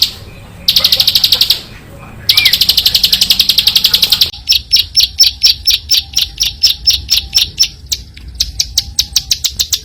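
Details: Bar-winged prinia song used as a master recording for training other songbirds such as magpie-robins: bursts of rapid, dry, high chips, then a long series of sharp repeated notes about three per second, with faint background hum.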